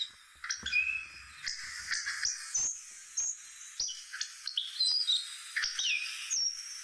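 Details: Hawfinch song made of clipped, piercing tseek notes and short sliding whistles, delivered in uneven bursts roughly every half second against a quiet background.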